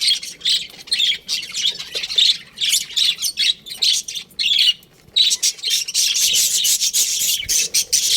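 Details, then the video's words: Budgerigars chirping as a colony, a busy stream of high, raspy chirps and warbles broken by short gaps, growing into continuous chatter. "Cute Budgies Chirping Sounds"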